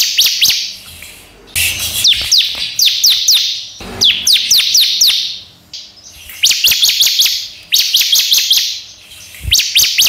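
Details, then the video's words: Lure song of a bar-winged prinia (ciblek), used so all kinds of ciblek will answer; loud high twittering bursts of fast downward-sweeping notes repeat every two seconds or so, broken by short hushed pauses. "suara ciblek paling sering di gunakan untuk pancingan semua jenis ciblek supaya bunyi"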